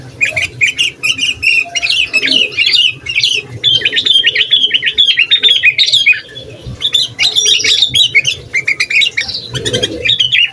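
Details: Long run of sooty-headed bulbul song used to anger rival bulbuls and coach young birds: busy, almost unbroken chattering with warbled whistles, briefly pausing near the middle.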